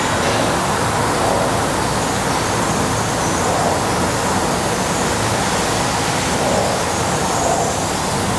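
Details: Dense, rushing noise like heavy traffic or falling water, steady for the whole stretch, with no animal call rising above it.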